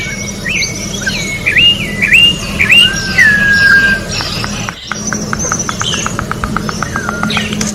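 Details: Orange-backed troupial singing in nature: a run of clear whistled, swooping notes, then one long falling whistle, followed by a rapid train of dry clicks and steady low background hum.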